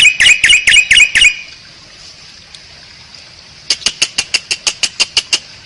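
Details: Asian pied starling master recording used as a lure: two bursts of rapid harsh, buzzy repeated notes, about ten strokes each, separated by a quiet gap.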